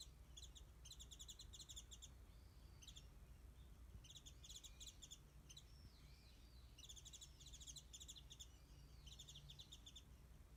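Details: Warbling white-eye singing high in a tree above a backyard feeding place stocked with mandarins, recorded at some distance by phone; clusters of quick high chirps come in three main bursts, with curling whistled notes between them and a constant low rumble.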